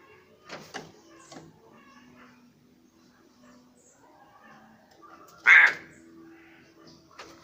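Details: A fully black crow kept as a pet gives a single loud, harsh caw partway through. A few faint clicks and knocks come before it, and a low steady hum runs throughout.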